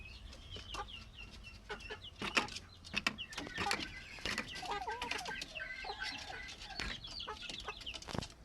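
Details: Plump chickens, with high thin peeping chirps repeated throughout, a few lower soft clucks, and many sharp clicks and taps, likely pecking or movement.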